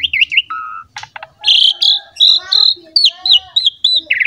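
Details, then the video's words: Asian pied starling song for training young starlings, blending a low whistle, harsh bursts and a run of bright repeated whistled phrases, some wavering. "PANCINGAN JALAK SUREN GACOR MOMPA FULL MATERI MEWAH UNTUK JALAK MUDA"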